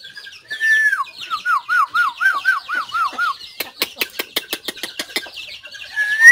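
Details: White-rumped shama song from 17 April 2024: a rippling series of wavering, looping whistled notes, then a rapid burst of dry, sharp clicks, ending in a rising whistle.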